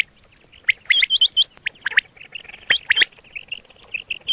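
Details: Quail calls recorded for hunting: a burst of hooked, rising chirps, then a steadier string of softer, level chirps. One sharp click sounds midway.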